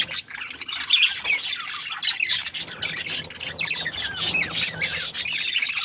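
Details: Contented budgerigar breeding pair chattering nonstop: bright, scratchy chirps and rising and falling warbled twitters pile up in a busy, high-pitched stream with no pauses.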